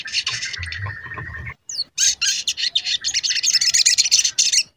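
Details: Crimson sunbird (sogon) lure singing used to excite other birds: an opening high buzz over a faint steady tone, a short break, then rapid pulsed high chattering of about four notes a second.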